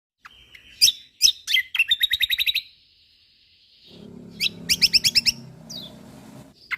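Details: Kecial kombok white-eye from Lombok on a songbird training recording, singing vigorously: sharp high chirps, then rapid even series of bright notes, a brief pause, and another fast chattering burst over a low background hum.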